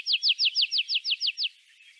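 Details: A Tree Pipit from Central Russia sings a rapid series of about ten clear, high, downslurred notes, roughly eight per second, which then stops abruptly.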